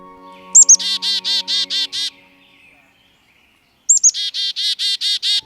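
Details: Black-capped chickadee chick-a-dee alarm call at Mill Creek Ravine, Edmonton (more dee notes signal a larger threat): two high calls of quick sharp introductory notes, then five or six buzzy, harsh dee notes, with a faint low hum early on.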